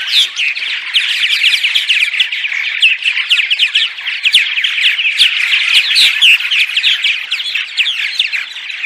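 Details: Purple martins giving daytime chatter: a dense wall of rapid chirps, rattles and gurgles from many birds, with sharp squeaky notes poking through and a few soft knocks, used to lure martins to nest houses in migration.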